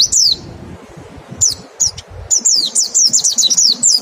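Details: Mountain white-eye with 'nembak' song and 'ngecal' lure, meant to trigger fast singing: a few high slurred whistles, then a quick tumbling run of descending notes.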